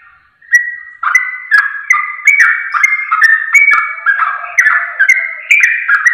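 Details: Sooty-headed bulbul song used to trigger singing in others; after a short silence, busy overlapping fluty notes roll out in a rapid, irregular chatter with scattered clicks.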